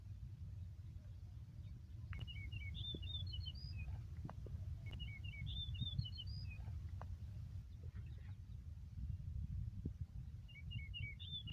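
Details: Singing yellow-breasted bunting, green meadow of Yakutsk, 4 June 2020; three whistled phrases roughly four seconds apart, each a brisk string of clear notes rising toward the end, with a soft low rumble throughout.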